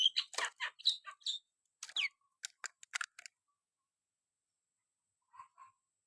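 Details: Javan myna singing actively (gacor): a quick run of harsh, scratchy, chattering notes and sharp clicks lasting about three seconds, followed by silence and two faint short notes near the end.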